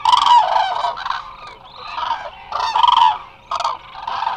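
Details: A large flock of Eurasian (common) cranes resting at Hula Nature Reserve, Israel, a lake and swamp site, gives loud, rolling trumpeting calls in overlapping bursts, several birds together with brief pauses between outbursts.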